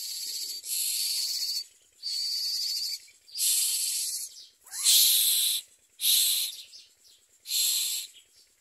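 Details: Hungry common myna chicks in the nest begging: harsh, hissing, rasping bursts, each about a second long, six of them in quick succession with short silent gaps.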